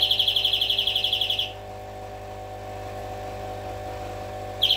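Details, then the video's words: Greenfinch singing a rapid, evenly spaced rolling trill for about one and a half seconds. A quiet pause with faint background hum follows, then the next trill begins at the very end. "Flurya Kuşu ötümü"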